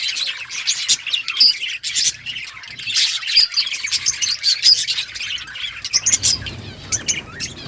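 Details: Many parakeets chirping in an outdoor breeding colony: busy overlapping warbled twitters and short clear whistled notes, the chorus thinning slightly toward the end into separate bursts.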